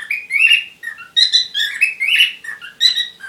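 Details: Courting parrots chatter in quick squeaky notes, mixing rising chirps, short buzzy squawks and brief whistled slurs in a continuous uneven stream.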